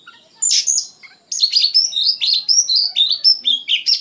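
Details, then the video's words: Oriental magpie-robin in vigorous, emotional song: a loud opening squeal, then a fast chain of clear whistled notes and slurs repeated about twice a second. "KACER GACOR PENUH EMOSI"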